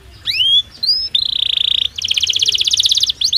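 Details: Belgian canary singing naturally: upward-curving whistled notes, then a rapid buzzy trill and a faster string of bright, evenly pulsed high notes, ending in short clipped phrases.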